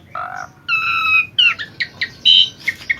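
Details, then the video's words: Asian pied starling song, gacor style for training other birds: a low harsh note, a long ringing whistle, then quick chirps and squawky bursts of mixed pitch in brisk succession. "Kicauan burung jalak suren gacor part II ❕❗audio masteran mp3"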